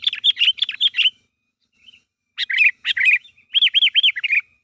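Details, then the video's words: Sooty-headed bulbul calling to draw replies from others of its kind: a quick burst of chirps, a pause, then sharper notes and three arched, whistled notes in a row. "Suara Burung Kutilang Gacor Memanggil Temannya Agar Bunyi"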